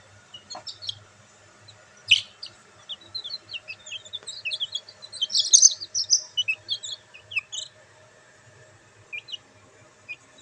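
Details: Black bantam chicks enjoying sunlight chirp loudly in a busy chorus of sharp, high, downslurred peeps that build to a dense cluster midway and then thin out, with one brief click early on.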